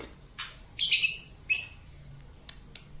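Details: Lovebird in the ngekek singing style, used as a lure to stir other birds. A short run of harsh, high screechy bursts, two louder ones in the middle, followed by a few sharp clicks.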